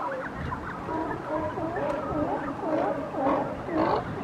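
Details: Brandt's cormorants nesting at a coast guard jetty, with new hatchlings, give wavering, nasal calls that overlap in a busy colony chorus, rising and falling roughly twice a second.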